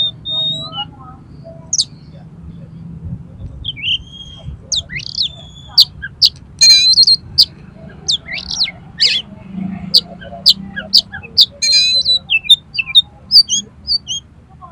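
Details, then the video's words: Oriental magpie-robin song used for fighting and provoking other birds, high emotion: rapid sequence of sharp vertical chips, buzzy rattles and short whistles, growing denser toward the middle, faint low hum behind. "KACER TARUNG EMOSI TINGGI !!! PASTI LANGSUNG BUKA EKOR KACER MANAPAUN MENDENGAR INI"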